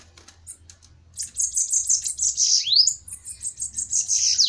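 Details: Two bananaquits fighting in a duel, a faint start of soft chirps, then a high buzzy pulsing trill with one quick upward-sweeping note, sustained to the end.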